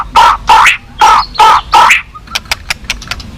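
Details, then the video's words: White-rumped shama (murai batu) at a contest hanging pole: five loud, harsh, buzzy notes about every half second, followed by a series of quieter sharp clicks. "burung ganas full isian mewah #murai"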